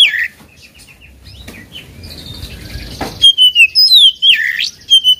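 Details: Oriental magpie-robin singing to provoke a competitor. A brief whistle opens, then a quiet hiss, then loud falling whistles and a swooping note with short chirps.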